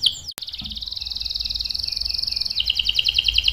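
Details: Canary song meant to lure other canaries into singing: after a sharp click, a long even high trill runs steadily, then drops into a slightly lower beaded trill, with faint low background hum.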